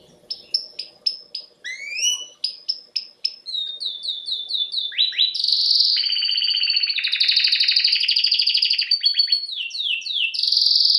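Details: Canary singing: a fast run of repeated high chirps and rising sweeps, then long rapid buzzy trills and rolling phrases held near the top of its range, all loud and continuous with faint low rumble early on.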